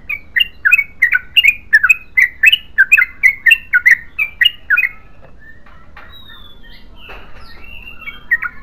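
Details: Yellow-vented bulbul in a long 'ropel panjang' song, a fast run of bubbly, warbling notes for about five seconds, then stopping; a few faint, scattered chirps follow in the quiet.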